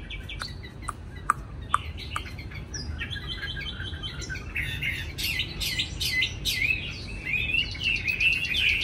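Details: Chinese hwamei kept caged in Hanoi, noted as a ready singer. A few sharp clicks open the passage, followed by a building, scratchy warble that turns into bright, rapid twittering toward the end.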